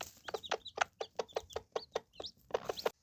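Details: A mother hen among three with seven chicks gives a steady run of short, low clucks about every fifth of a second, while a few high, thin chick peeps slip in between.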